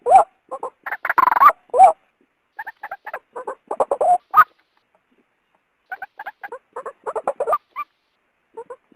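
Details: Female white-breasted waterhen calling to entice a male out: loud croaking bursts at the start, then sparser, quieter clusters of short nasal notes separated by silent gaps.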